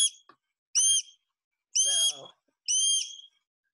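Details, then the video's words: A Sharp-shinned Hawk, a South Carolina raptor, gives three or four very high, squeaky, harmonic notes, each about half a second long and a second apart. "So this is going to be a sharp-shinned hawk call."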